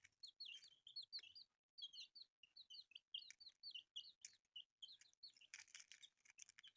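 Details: Newly born chicks chirp in a steady stream of loud, high, falling peeps, about two or three each second, with a short noisy rustle near the end.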